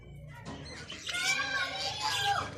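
A budgerigar chatters in a rapid, warbling stream of high scratchy notes and squeaky whistles, rising and falling over two seconds, with faint room noise behind.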